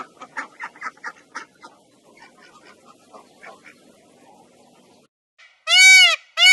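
A domestic goose gives a quick run of five or six harsh, nasal cackles, then after a pause two loud, drawn-out, ringing honks.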